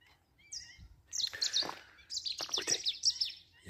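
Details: Birds along a canal where many species are present and a nest sits in a tree; high, bright twittering and chirps in quick bursts, with short sweeping whistles, some rustling noise beneath.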